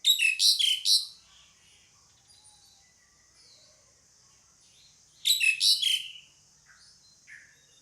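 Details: Jalak suren, the pied myna, giving two bursts of rasping, squawky notes about five seconds apart, with a steady high hiss and faint chirps between them.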